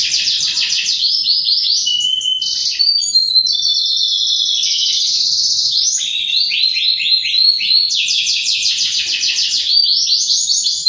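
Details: Canary singing long and vigorously, unbroken rapid trills, rolls and sweet whistled phrases that change pitch every second or two, including a sustained buzzy middle passage, with no background noise.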